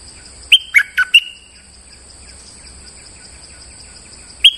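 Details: Bulbul trapping lure: a clear four-note chirped phrase with a whistled tail, a long hissy pause, then one lone sharp note near the end.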